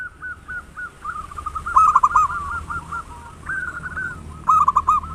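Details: Loud-voiced local zebra dove used as a lure to stimulate singing: soft, stuttering coo notes build into dense, rolling bursts of quick coos, repeated twice.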